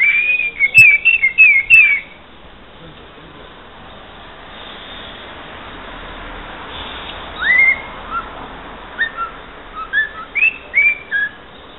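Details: Pet cockatiel that says a football chant and sings parts of a club anthem; a run of clear warbled whistles at the start, then after a quiet gap a series of short rising whistled notes over steady background hiss.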